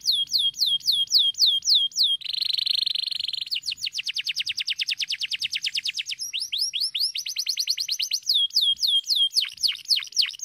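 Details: Canary singing a varied song: a row of downward-sweeping whistled notes, then a dense buzzy trill, a fast run of rising and falling syllables, and more sharp descending whistles, repeated several times per second.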